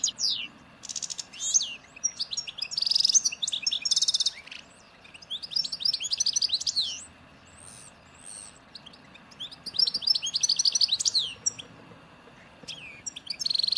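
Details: Algerian goldfinch singing the 'nature' song shared with Djnane Bouecha and Ain Dalia dam birds, 1995, Souk Ahras (Taghast): long stretches of rapid twittering, buzzy trills and clear sliding whistles, pausing briefly, over constant low background noise.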